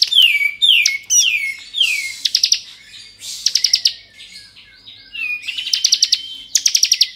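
Bar-winged prinia singing a lively varied song: high sweeping downslurred whistles, then rapid bursts of sharp ticking notes, repeated energetically with no other sounds.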